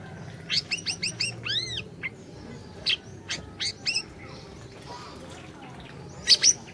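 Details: Orange-bellied leafbird singing energetically, a lure to stir a silent bird: a rapid series of sharp chirps, arched mewing whistles, more scattered chips, and two loud sharp notes at the close.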